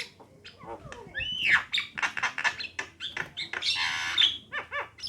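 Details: Javan mynas, female and male, giving a jumble of slurred whistles, clicks and a broad rasping burst, ending with a quick series of repeated short notes.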